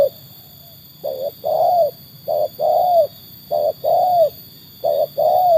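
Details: Trained tekukur, a spotted dove, tested against wild birds; paired coos, a short note followed by a longer slightly arching one, repeated about every 1.3 seconds after a quiet start, with steady electrical hum behind.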